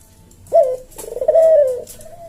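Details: Kuk deruk manggung cooing of a Javanese puter dove, slow senggang style for training caged birds: a short sharp coo followed by a rolling, throaty, long drawn note that slowly fades.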